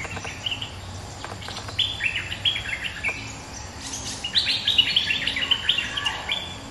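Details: Bulbul on its home ground responding to a rival: a few scattered chirps, then from midway a dense, excited run of gurgling, fluty notes that carries to the end.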